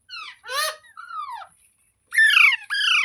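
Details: Parrot making a run of varied calls: a falling whistled note, a buzzy squawk, a long sliding whistle, then two loud rasping screeches.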